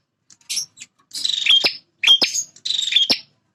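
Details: Territorial male bar-winged prinia: a short chip, then three dry, buzzing trills with sharp snaps, packed close together within a few seconds.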